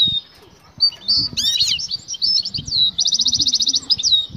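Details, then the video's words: European goldfinch female, in breeding condition and calling the male to mate: high twittering chirps and trills, a rapid rattling buzzy trill near the end, one loud sweeping note midway, faint low thumps beneath. "بتبتة أنثي المقنين هائجة تنادى على الذكر للتزاوج،jilguero"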